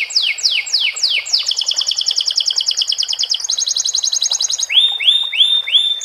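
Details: Canary performing song with borrowed sikatan londo phrases, with water in the background. Four descending whistled sweeps lead into fast rattling trills at two pitches, ending with high upslurred whistles.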